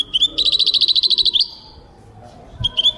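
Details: European goldfinch singing, 2023: a rapid rattling series of metallic chirps lasting over a second, a brief pause with low background rumble, then a couple of sharp twittered notes resume.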